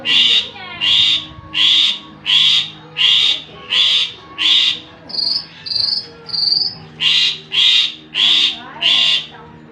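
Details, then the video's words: Javan pied starling song used to lure birds: harsh, raspy bursts repeated about every 0.7 seconds, with a short run of three thinner, higher notes midway, over a faint low hum. "pancing ini jalak suren anda langsung nyaut"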